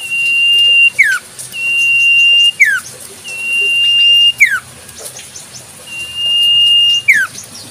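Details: Common Iora in the wild repeating its song four times: long level whistles, each finished with a swift downward glide, spaced evenly about two seconds apart.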